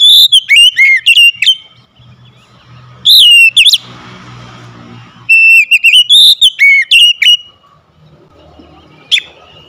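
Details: Oriental magpie-robin (kacer), a house-kept bird, singing loud, clear whistled phrases in rapid bursts of sharp, slurred notes, three song bursts separated by short pauses and a single note near the end, with faint low hum and a brief noisy rustle between phrases.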